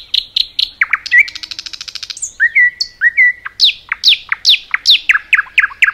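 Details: Common nightingale in forest, singing loud chirps, a rapid buzzy trill, clear whistled notes, and a long run of sharp downslurred notes repeated about twice per second.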